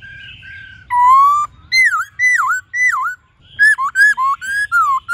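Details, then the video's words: White-cheeked laughingthrush singing forest-style song with many voices: a long sustained whistle, then three dipping, V-shaped whistled notes and a lively run of short slurred whistles. "Khướu Hót GIỌNG RẤT HAY- NHIỀU GIỌNG.giọng rừng"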